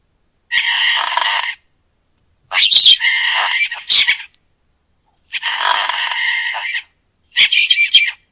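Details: Penguin in Ehime, Japan, giving four harsh, buzzy, braying bursts, each about one to two seconds long, separated by short silences, with no other sounds.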